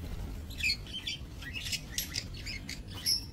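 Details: Budgerigars in a small breeding aviary, recorded 28 November 2024; rapid overlapping chirps and squawky notes, one sharp high whistle near the end, over persistent low-pitched background noise.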